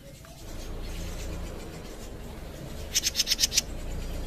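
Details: Caged jenggot bird giving one quick burst of about six sharp, high, buzzy ticks near the end, after a stretch of low background rumble and faint scratching.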